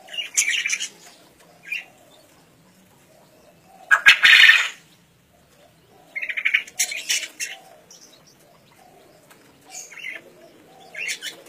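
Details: Wild-caught green junglefowl (Gallus varius), 1.5 years old, from Kediri, East Java, crowing in a 2016 crowing contest: short, hoarse, high bursts, one loud rasping crow among quicker chirpy notes and a soft low murmur.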